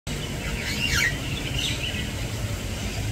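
A Long-tailed glossy starling gives a few quick, sliding chirps that swoop down and up around the one-second mark, over a steady low rumble like distant traffic.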